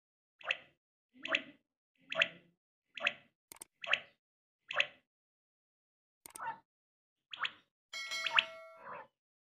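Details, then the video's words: A single quail gives short, liquid, plopping notes, about eight in quick succession a little under a second apart, ending with a brief ringing, tonal sound. "Single batair ki awaz | Quail sounds"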